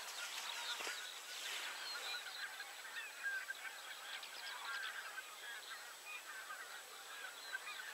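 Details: Common cranes calling together, many overlapping far-off honking and bugling notes forming a continuous, rolling chorus. Louder bursts rise near the start and middle, set against a steady background hiss.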